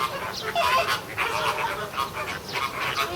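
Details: Several captive American flamingos at Ueno Zoo, June 2016, seemingly quarrelling as if arguing: dense, overlapping nasal honking and gabbling bursts, harsh and goose-like, running almost without pause through the whole stretch.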